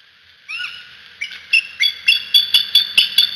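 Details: Bald eagle parents at their Decorah nest, caught on a nest cam: a slurred downward note, then a quickening run of high, thin piping chips, about four per second, getting louder toward the end.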